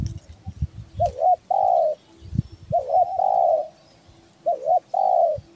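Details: Spotted dove calling, a recording used for luring birds: three phrases of a short double-note coo followed by a longer, steady lower coo, each about 1.5 seconds apart, with low thumping noises between the first two phrases.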